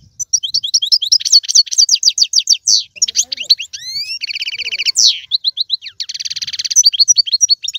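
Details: Energetic European goldfinch song used to get a pet goldfinch singing: dense tinkling twitters, a couple of rising slurred whistles, buzzy rattles, and steady repeated chirp series.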